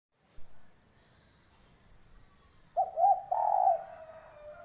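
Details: Spotted dove giving a short cooing phrase: a low stuttered double note followed by a longer, louder, slightly wavering coo. Quiet room-like background before the call.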